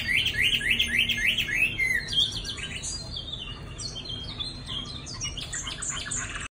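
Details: Rapid rising whistles repeated four times open the song of a caged male Chinese hwamei nearly two seasons old, followed by a dense chatter of very high, varied notes.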